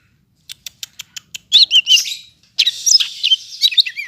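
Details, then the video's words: Greater green leafbird of the Medan type, singing a densely filled song, recorded Monday 5 September in Bandung: a run of sharp high ticks, then rapid looping whistles and buzzy warbled phrases. "Burung Cucak Hijau Medan, isian rapat"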